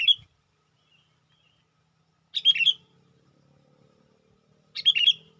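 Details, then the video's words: Sooty-headed bulbul used as a lure for wild bulbuls. Bright, bubbly chirping phrases repeat roughly every two and a half seconds, with a faint low hum in the background. "suara burung KUTILANG PIKAT gacor/PIKAT KUTILANG memanggil kutilang liar"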